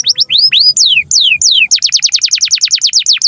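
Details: Canary song for teaching young canaries to sing: a few rising and slow falling whistled sweeps, then a fast even trill of sharp downslurred notes.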